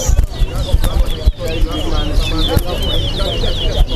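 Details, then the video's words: Towa towa singing during a bird-singing competition at Lusignan bird ground; a fast, continuous run of sweet chirped and trilled high notes, with loud human talk and handling noise throughout. "TOWA TOWA BIRD SINGING COMPETITION"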